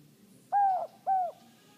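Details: A pet male Inca dove, raised from an incubated egg, utters one "no hope" call: two short, hollow, slightly falling coos in quick succession indoors with low background hum.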